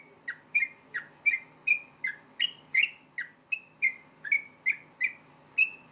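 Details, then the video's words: Yellow-vented bulbul in fast fighting song to draw replies from rival bulbuls: about three crisp whistled notes per second, alternating slightly higher and lower slurs, steady over six seconds with faint hum behind. "KICAU SUARA trucukan gacor ROPEL TARUNG NEMBAK ampuh BIKIN agar burung trucuk gacor NYAUT SEKETIKA"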